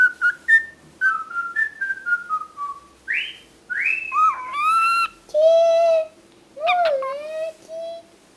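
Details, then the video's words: Talkative pet cockatiel whistling a run of short stepped notes that descend in pitch. These are followed by longer sliding whistles and buzzy, harmonic-rich phrases that swoop up and down, all recorded indoors. "CALOPSITA fala demais"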